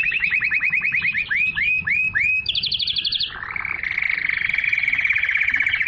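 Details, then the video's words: Canary singing a pure song meant to stimulate females to mate and to tutor young birds: a fast trill of rising-falling notes slows into arched syllables, then a brief high rattle and a steady buzzy roll. "تغريد الكناري لتحفيز الاناث على التزاوج"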